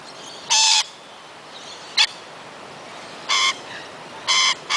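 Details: Lorikeets living wild in forest at Kioloa, Australia, giving loud, grating shrieks spaced about a second apart, one brief sharp chip among them, with faint softer calls and constant hiss between.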